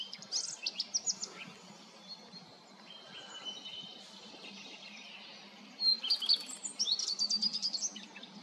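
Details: Common redstart singing: two bursts of high, quick twittering phrases, the first near the start and the second after a brief pause, with a steady low hum underneath.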